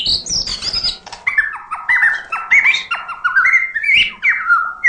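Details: White-rumped shama singing full-fill song to spur lazy singers: high whistles at the start, then a steady series of paired, sharply sliding whistled notes repeated roughly twice a second.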